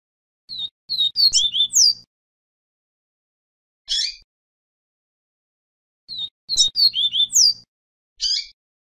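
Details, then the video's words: Double-collared seedeater giving a "Vi Vi Ti" song used to train young birds, two bright, rapid phrases of high twittering and sweeping notes, each followed by a lone buzzy note, with a faint low hum beneath. "Canto Vi Vi Ti TOP para ENCARTE e TREINAMENTO de Coleiro e Papa-capim"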